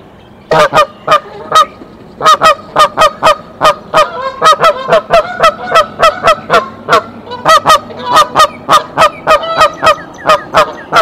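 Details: On the nest at Decorah, a mother goose sounds the alarm and calls the father goose to her, March 27, 2023; a long, steady stream of rhythmic honks, roughly three per second, continuing for ten seconds.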